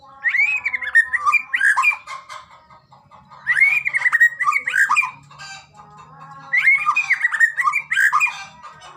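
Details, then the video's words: White-rumped shama (murai batu) song used as a training recording to make shamas sing more readily; three rich bursts of fast, looping whistles and chattering notes, each about two seconds, separated by pauses with faint steady tones beneath. "masteran burung murai batu..! terapi Murai batu cepet gacor..!!"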